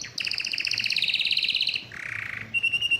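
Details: Excited canary singing, said to be wanting to mate: fast trilled rolls of repeated notes, a buzzy lower trill, then a thin sustained whistle, all high-pitched and continuous.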